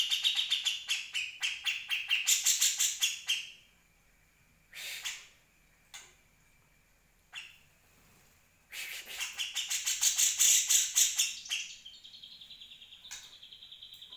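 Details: Grey-cheeked Bulbul from a 2020 tutor recording for other birds: bursts of rapid, loud, rasping chatter separated by short pauses, with a thin steady whistle and a few single sharp notes between bursts.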